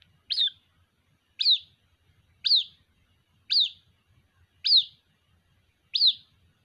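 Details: A white-breasted waterhen chick calls for its mother with six shrill, downslurred squeaks, roughly one per second, in a quiet setting.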